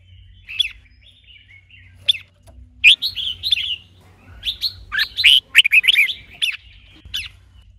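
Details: Red-whiskered bulbul in song training with a female to stimulate it; scattered sharp chirps give way to a jumble of loud, slurred, rising and falling whistles, over a steady low hum.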